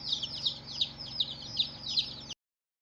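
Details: Baby chicks, many colored, give bright high peeps falling in pitch, repeated roughly every third of a second in overlapping groups, ending abruptly into silence.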